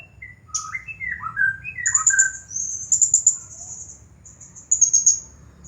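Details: Champion blue-crowned hanging parrot singing nonstop in the style called nagih hutang, or debt collecting. Descending whistled slurs are followed by very high, thin, rapidly pulsed trills in bursts, over a low background rumble.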